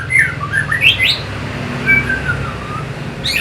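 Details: Orange-headed thrush as a lure for fighter birds: soft rising and falling whistles and quick upward slurs, then a long gently descending whistle and a final sharp note.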